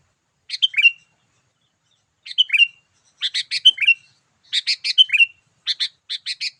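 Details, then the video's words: Sooty-headed bulbul calling in the lively "gacor" style used to attract wild birds: bubbling whistled phrases with a downslurred ending, alternating with fast harsh chattering notes in quick runs. "memikat burung kutilang dengan suarany yang gacor"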